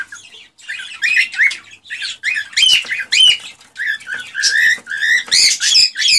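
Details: Cockatiel song for encouraging pairs to mate: a busy, varied warble of chirps, upswept whistles and buzzy notes, building into louder repeated rising phrases.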